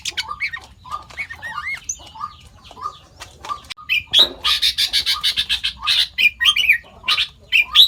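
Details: Sooty-headed bulbul copying other birds: soft repeated low whistles and wavy sliding notes at first, then louder harsh chirping bursts in quick succession.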